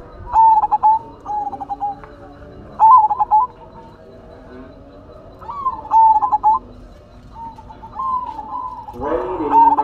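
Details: Actively singing silver zebra dove (perkutut) gives repeated phrases, each a drawn-out coo followed by bubbling, stuttered notes. Four phrases come at uneven intervals, and a brief rougher sound comes at the end.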